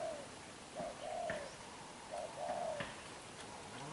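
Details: Spotted dove, a young newly caught bird with black eyes, in vigorous đập gù cooing: two clear phrases, each a short coo followed by a longer, drawn-out hollow note, amid a quiet background.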